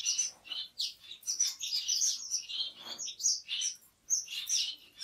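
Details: Orange-cheeked waxbill (Estrilda melpoda), a species from central and western Africa, giving rapid high thin chirps and short twittering notes in quick bursts, several overlapping, with brief pauses between groups.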